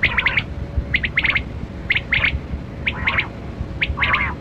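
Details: Kali kirak batera quail during a hunt, calling in rapid bursts of three or four scratchy chirps, each burst roughly a second apart, over steady low background noise.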